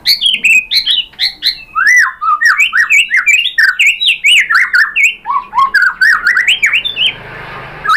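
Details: White-rumped shama lure song to provoke another shama: continuous rapid stream of harsh, slurred chattering notes dropping and rising, dense and energetic throughout, small-room echo.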